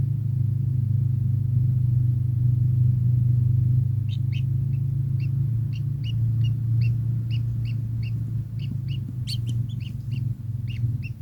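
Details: Kingfisher calling after a few seconds of quiet with rapid runs of sharp, doubled chip notes, some rising, repeated several times a second, over a loud steady low hum that lasts throughout.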